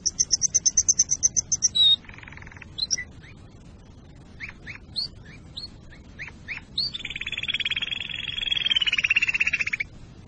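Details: Canary singing, meant to prepare birds for mating and teach young birds: a fast high pulsed trill, a short low buzz, scattered single chirps, then a long buzzy descending roll.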